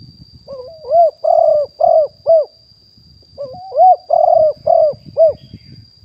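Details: Wild spotted dove cooing in a live 2021 decoy recording meant to draw in wild doves. Two phrases, each a rising intro note followed by four hoarse coos, about three seconds apart. Low rustling and a steady high whine are in the background.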